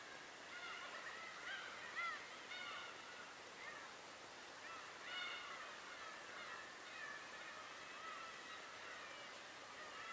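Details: Recorded on Tobishima: a busy mix of bird voices, clear rising nasal calls near the start and middle, others fainter, over continuous outdoor noise.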